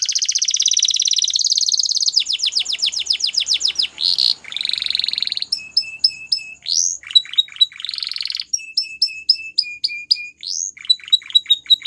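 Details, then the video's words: Belgian canary giving a long varied song of fast trills, rolling buzzy phrases, clipped high notes paired with low whistles, and repeated falling slurs. "Melodies Canary Bird Song | Belgian Canary Singing"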